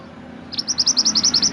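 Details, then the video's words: Mountain mantenan song used as a master recording for training songbirds: after a quiet start, a rapid series of about twelve high, sharp chirped notes repeats evenly in a steady trill over faint background hum. "Suara Kicauan Burung Mantenan Gunung, Untuk Masteran dan Terapi Burung Ocehan."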